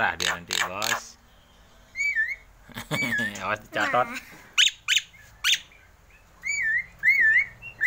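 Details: A hand-raised Javan myna perched on a hand gives wavering, looping whistles and sharp squeaky notes in short bursts while learning to imitate human speech, mixed with a man talking close by.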